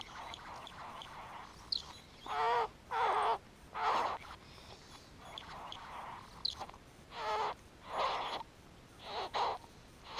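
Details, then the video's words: Male great bowerbird displaying to a female at his bower: harsh, rasping, hissing bursts of about half a second, irregularly spaced, roughly nine over ten seconds, with faint clicks and quieter grating notes between them. "Male great bowerbird displaying"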